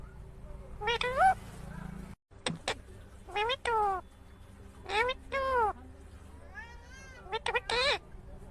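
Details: A pet Indian ringneck (rose-ringed parakeet) gives about six bursts of harsh, harmonic, rising-and-falling squawks and speech-like notes over eight seconds, with a low household hum behind.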